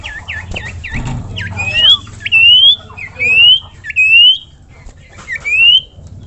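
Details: Common iora (sirtu, cipoh) in gacor song: four quick hooked U-shaped notes, then a series of long rising whistles repeated about once a second, loud and clear over faint low background hum.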